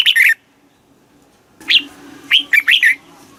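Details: Red-whiskered bulbul from Thailand, song used to excite caged birds: a brief whistled burst, a pause, then a string of rising and falling liquid notes over a low hum.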